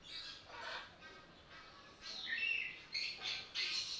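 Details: Sulphur-crested cockatoo kept at Belgrade Zoo in Serbia, filmed August 2022 on a Panasonic AG-CX350: a run of harsh, hoarse screeches, one early and several clustered later, raspy and loud against a quiet hiss.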